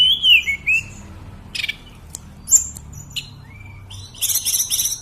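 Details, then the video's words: Sunda robin, locally called tledekan and singing continuously, gives clear whistled slurs falling from high to mid pitch, then scattered sharp high chips, ending in a rapid, harsh, very high rattling series. "Tledekan/ burung sulingan Gunung"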